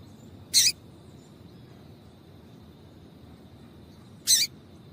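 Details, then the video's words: Female double-collared seedeater giving calls meant to get a male singing: two brief, bright, high-pitched chips spaced nearly four seconds apart over a quiet background with a steady faint whine. "Piado de Fêmea de Papa capim Vai deixar Seu Papa capim Cantando"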